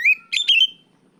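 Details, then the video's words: Oriental magpie-robin, kacer, calling out a rival: a single short phrase of loud clear whistles, a rising note followed by a ringing level note. "NGEPLONG TERIYAKAN KACER MEMANGGIL LAWAN"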